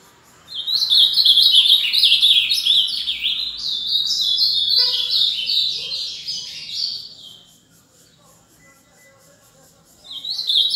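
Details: Ultramarine grosbeak (Cyanoloxia brissonii), fast song.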